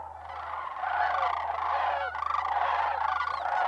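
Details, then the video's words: Migrating sandhill cranes at Bosque del Apache Wildlife Refuge, New Mexico, in December: a dense chorus of overlapping rolling, trumpeting calls from many birds, continuous and loud throughout. "Sandhill Crane Migration at Bosque Del Apache Relaxing Nature ASMR Ambience"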